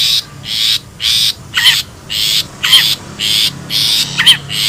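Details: Wild long-tailed shrike for luring birds: evenly spaced harsh, buzzy blasts about once a second, a few carrying a sharp descending squeal.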